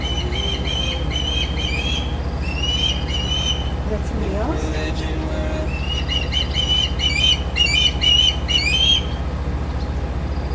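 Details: Osprey perched in a tree beside a deck in Lakeport, California, on 24 August 2011 at 5:22 pm, calling before taking off: series of short, sharp, whistled chirps in two bursts, over a steady low hum.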